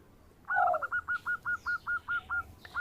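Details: Local zebra dove, a song used for luring birds: a brief low coo, then an evenly spaced series of about ten short clipped notes, roughly five per second, over faint background hiss.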